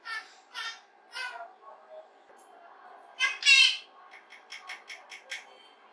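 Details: Pet rose-ringed parakeet talking and singing by itself indoors, recorded without its notice: three rough speech-like syllables, a louder harsh phrase, then a quick string of soft clipped notes, steady room hum beneath.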